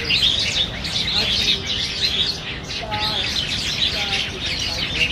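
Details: Black bulbuls contesting banyan figs at Niaosong Wetland Park, recorded 4 November 2015 on a Canon PowerShot SX700 HS; constant squeaky high chatter, with a few faint lower tonal notes underneath.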